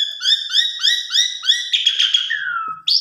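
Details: Asian pied starling phrase from a fill-in song meant to stimulate a lazy or stressed starling: about five quick upward-slurred whistles in a row, a scratchy burst, then a long falling whistle.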